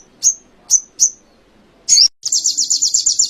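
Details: Canary song used as songbird training material: three sharp, high, separate chirps, then a louder rasping note, then a rapid high rolling trill of repeated pulses.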